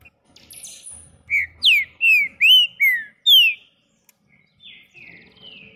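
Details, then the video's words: A green-winged saltator singing while held on the hand gives a quick phrase of about six loud, rich whistled notes, slurred up and down, followed by a few softer trailing notes. "TRINCA FERRO CANTANDO"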